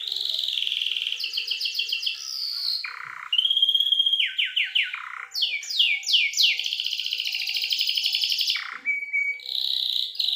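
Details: Canary lure song used to get young canaries singing, with long clear rolls: rapid high trills and buzzy rattles follow one another continuously, with sharp switches between fast ticking runs, lower harsh bursts and sustained bright rolling phrases.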